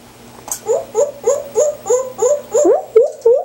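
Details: Nearly 18-year-old pet African grey parrot indoors, giving its practised monkey sound imitation: a run of about nine rising, whining hoots repeated roughly three times a second, fairly low and nasal.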